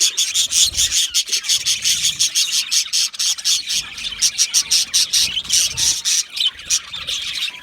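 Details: Budgerigars in an aviary, a flock chirping together: dense, rapid high chirps and chatter in quick irregular bursts, many birds overlapping.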